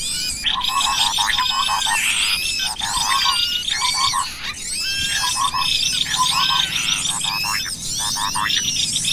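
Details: Lure recording of cucak kopi and small birds used to attract birds: a continuous, crowded mix of high twittering, whistled slurs and short chattering trills, with scarcely a pause.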